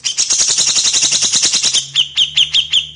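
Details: Grey-cheeked bulbul song used as a master recording for training cage birds. A rapid, steady stream of scratchy chattering notes gives way to about six high, slurred downward notes, each one separate and evenly spaced.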